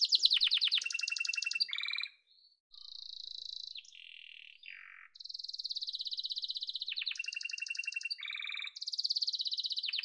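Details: Yellow domestic canary singing a long song of rapid trilled tours, alternating high buzzy rattles near the top of its range with lower pure whistled rolls and brief pauses, each phrase repeated fast; no other sounds.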